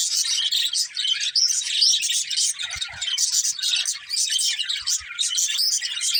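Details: A group of budgies keeps up a constant, busy chatter. Bright, squeaky chirps and whistled notes tumble over one another, with a few soft thuds in the background.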